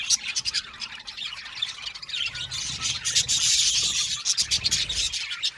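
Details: Many budgerigars chirping in an aviary, a continuous warbling mix of shrill tweets and harsh squawks, swelling to a steady loud chorus in the middle before breaking into short choppy calls.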